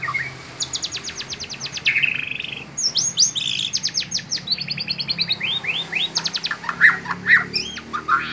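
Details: White-rumped shama singing during its bowing display: a rich, fast run of varied phrases, with rapid trills of repeated sharp notes, sweeping whistles and buzzy bursts following one another almost without pause.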